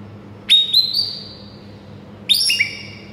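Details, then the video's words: White-rumped shama song played as a tutor for mute shamas: two bright, high, pure whistled phrases separated by a pause, the second stepping down in pitch, over quiet background hum. "MURAI BISU SONTAK NAIK EMOSI DAN GACOR DENGAR MASTERAN MURAI SATU INI"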